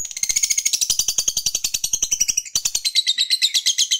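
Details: Fighter lovebird giving a long ngekek chatter, used to provoke rival males into singing: shrill, rapid, rattling notes run nonstop for almost four seconds, with a brief dip near the middle before the chatter resumes.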